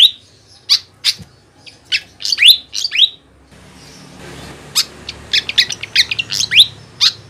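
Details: Flycatcher chirping, used to lure birds in the wild: spaced sharp chips and downward whistled sweeps, more rapid after midway, with a steady background hiss and hum.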